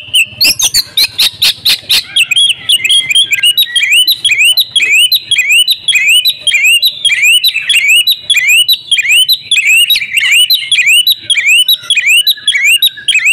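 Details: Oriental magpie-robin (kacer), a female calling to the male, in a loud dense sequence of rising whistled notes repeated rapidly, about 100 per minute, after a burst of harsh chattering in the first two seconds.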